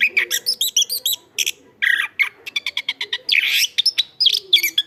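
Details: Energetic Chestnut-backed thrush song, loud and full-voiced, offered for tutoring other birds: rapid series of high, clipped chirps and repeated short notes, a dense buzzy burst midway, varied phrases without pause.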